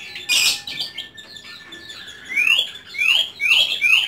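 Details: Pet white-rumped shama. A harsh burst and a thin steady tone lead into a rhythmic series of bright whistles that sweep sharply upward, one roughly every half second.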